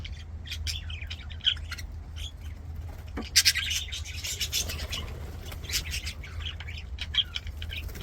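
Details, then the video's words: Several budgies singing and playing in an aviary: busy high chirps, warbling twitters and sharp squeaks overlapping, with a few louder notes and a constant low background hum. "BUDGIES SINGING PLAYING"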